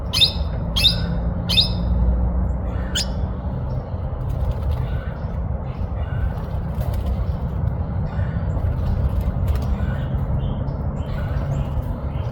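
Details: Young hooded parrots mating: four sharp, shrill chirps in the first three seconds, then only faint scattered ticks over a steady low rumble of wind or handling noise.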